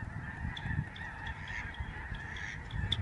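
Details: Migrating Lesser Snow Geese flying in a large flock above a Canadian sanctuary in November 2011. A blended goose chorus with some clearer single honks is partly masked by pulsing low wind noise.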